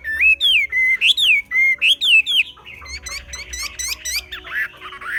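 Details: Chinese hwamei (Garrulax canorus), song.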